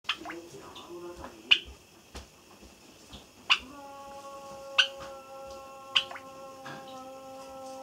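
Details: Java sparrow gives sharp, metallic chip notes every second or two in a quiet room after its cage-mate was carried to another room; the owner thinks it may be lonely. Recorded 4 May 2017.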